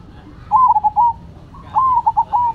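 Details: Caged zebra doves, local perkutut types called Cemani and Silver, singing in competition: two clear phrases of a rising coo followed by quick stuttering notes and a long level ending, with a faint second bird in between.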